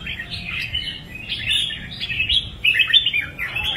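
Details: Red-whiskered bulbul in lively song, a run of quick chattering, slurred whistles that climb and dip, ending in a few sharper accented notes over faint low noise.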